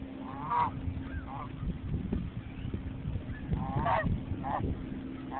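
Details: A large wild goose calls loudly at Hawrelyk Park, Edmonton, gesturing beside a lake still covered in ice and snow. It gives several nasal honks, some in quick pairs, over a low steady hum and rumbling background.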